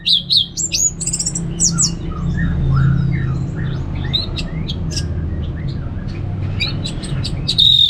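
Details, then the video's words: Orange-headed thrush ngeplong song, opening with loud sharp high notes, then a long stretch of softer whistles and chips before a final loud whistle. Steady low rumbling noise continues throughout. "$uara ANIS MERAH Ngeplong Santai"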